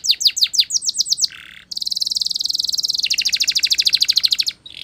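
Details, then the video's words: Spanish Timbrado canary song opening with spaced, sharp descending chips, then a low buzz and a long, fast metallic trill that drops slightly in pitch midway. "Canary Singing CHAMPION For Training | Spanish Timbrado Song"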